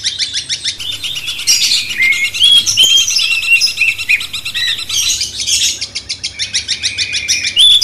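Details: Sooty-headed bulbul singing as training material for a magpie-robin: a few clear rising whistles stand out amid rapid, dense high chirps and buzzy trills filling the background.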